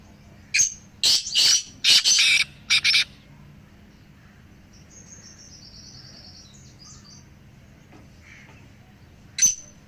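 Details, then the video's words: Black francolins, three birds, calling so a pet francolin will call more strongly. A burst of about five coarse, rasping notes, then faint twittering and quiet, with one more sharp note near the end. "تین کالے تیتروں کی آواز سے اپنے تیتر کی بولی مضبوط کریں"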